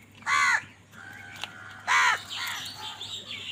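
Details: Crows contesting food let out two loud, hoarse, nasal caws roughly one and a half seconds apart, followed by fainter harsh calls and background chirping.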